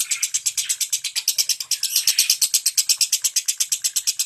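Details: Lovebird in ngentik singing style, used to coax mute birds into song: a loud, fast, evenly spaced rattle of piercing high chattering notes throughout.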